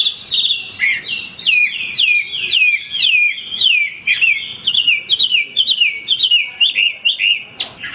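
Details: Hwamei in vigorous continuous song, repeating downward-sweeping whistled notes roughly twice a second, each phrase clear and ringing, with faint high overtones and a lively, unbroken rhythm.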